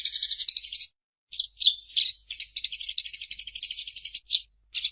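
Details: Eurasian tree sparrow singing in a gacor masteran recording: a rapid high chattering rattle, a short silence, then mixed chirps and a long fast trill broken by a couple of final chirps.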